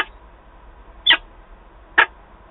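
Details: Peregrine falcon pair meeting at a nest box in Wałbrzych, Poland, on 11 October 2022 after the female's return. Two short, rasping calls sound about one second apart over a quiet background.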